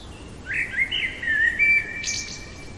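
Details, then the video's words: Common blackbird heard in the depth of night, delivering a single fluted warbling phrase that runs smoothly for over a second before ending in a brief high scratchy twitter. "Merle chantant au cœur de la nuit"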